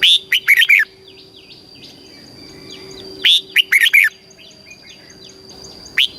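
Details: Thai caged red-whiskered bulbul singing in the southern master style for stimulating other birds: loud phrases of four to five rich warbled notes at the start, middle and end, with softer twittering between and a steady background whine.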